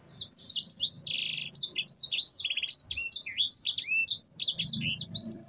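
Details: Continuous warbling ngerol song of a sanger, the black-throated canary, mixing slurred high whistles with two short buzzy trills and rattling notes, delivered without break.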